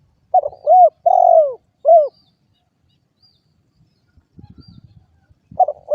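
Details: One full cooing phrase from a spotted dove, made of a stammered start, an arched coo, a long descending coo and a short coo. Faint low rustling follows, and the next phrase begins just as the recording ends.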